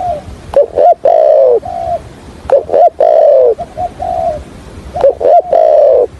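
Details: Spotted dove used as a decoy for trapping, in a stuttering calling-and-cooing style: loud, hoarse coos with short clipped notes leading into longer drawn, slightly falling cooing phrases, repeated in close-miked bursts.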